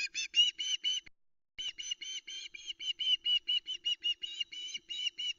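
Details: Nest-cam osprey at Loch Arkaig, 26 August 2020, the female shouting as her mate arrives with fish: high, clear whistled calls in rapid succession, a brief break after the first second, then a long unbroken series.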